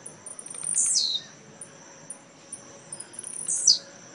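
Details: Caged blue-black grassquit at a singing contest in Jacarepaguá, Rio de Janeiro, Brazil; two intense high buzzy notes dropping steeply in pitch, separated by light ticking notes.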